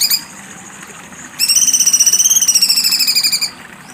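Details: Cucak cungkok in sharp 'besetan' song, a two-second burst of harsh, fast-pulsed trilling that rises slightly in pitch then eases down, preceded by a brief note and quiet hiss.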